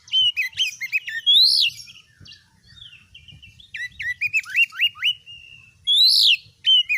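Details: Oriental magpie-robin, a vigorous singer used as a tutor for other birds, delivering loud whistled upswept notes and buzzy trills in bursts, with rising and falling phrases separated by brief quieter chatter.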